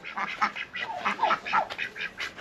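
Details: Two domestic ducks, hatched last year and said to be Indian Runner types, possibly not purebred, on a snowy winter farm give a rapid, chattering run of harsh, nasal quacks, several each second, rising and falling in loudness without pause.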